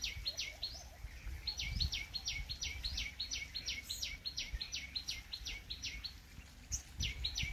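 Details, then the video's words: Purple sunbird at Ranthambore National Park in Rajasthan, India, giving a rapid run of sharp, high down-slurred notes, close to three a second, almost without pause, over a low rumbling background. "Purple Sunbird Sound"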